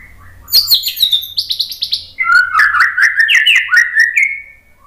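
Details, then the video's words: White-rumped shama song used to provoke other birds into singing: rich varied phrases of whistles, sharp chips and buzzy trills, sliding notes near the middle range with high clicks above, delivered in a fast continuous burst. "TEMBAKAN MURAI BATU biar NYAUT ikug GACOR BONGKAR MATERI ¦ PANCINGAN MURAI"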